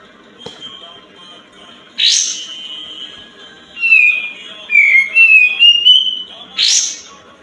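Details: White-eared bulbul song used as a lure to prompt birds that have stopped singing or are lazy to sing: a long thin whistle, then a clear string of sliding whistled notes stepping up and down, framed by sharp bursts.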